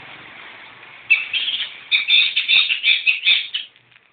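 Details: Long-tailed Shrike, newly caught, bursting into fast grating chatter after a second of background hiss, the harsh notes running rapidly before fading.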